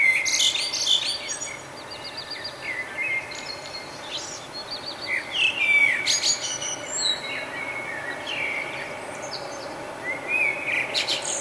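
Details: Nightingale singing in the morning, Budapest, Hungary, May 2009, recorded with a Canon Powershot SD1000: rich, varied song with rapid repeated-note trills, clear whistles and sharp clicks running almost continuously above a steady hissing noise.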